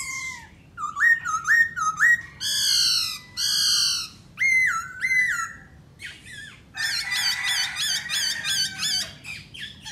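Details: Black laughingthrush singing strongly: clear upslurred whistles, loud harsh nasal squawks in pairs, then a rapid rattling chatter of repeated notes.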